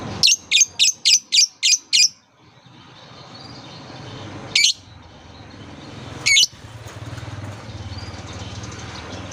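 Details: Lovebird chirps used to coax young birds into calling: seven quick, evenly spaced high chirps, then a pause and two more isolated sharp chirps over low background rumble.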